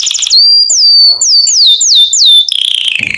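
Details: Canary song played to train chicks to sing: a short buzzy roll, then a series of slow, clear, descending whistled slurs about twice a second, ending in a lower rattling trill.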